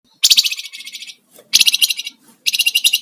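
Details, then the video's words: Sunda warbler singing in energetic 'gacor' form with 'ngebren' and 'nyiul' styles, used as a lure and master recording for songbirds: three dense, buzzy, very high trilled bursts, each about a second long, separated by brief pauses. "Flamboyan gacor Ngebren dan nyiul"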